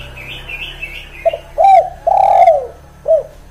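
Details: Tekukur, the spotted dove, giving its 'kuk 1' gacor lure song: a smaller bird's wavering high chirps fade out first, then the dove coos a short note, a bent double note, a long coo and a separate closing 'kuk'.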